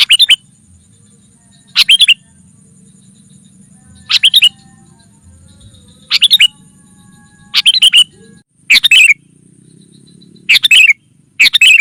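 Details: Bulbul lure sequence for gathering wild sooty-headed bulbuls: about eight short, clipped chirp clusters repeated steadily every one to two seconds, with a faint constant high tone in the background.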